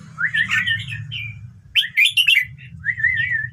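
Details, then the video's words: Red-whiskered bulbul singing to spur other birds to join in, with short rolling, chortling phrases, a rapid cluster of sharp chirps mid-way, then a final lilting warble, all above a faint low hum. "เสียงนกกรงหัวจุก #เปิดแล้วคึก นกร้องตาม"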